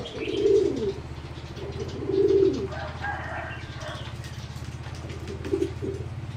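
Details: Competition-bred singing zebra doves in a flight cage produce low buzzy coo phrases, three loud bursts and softer ones, over a constant low mechanical hum and some wing flutter.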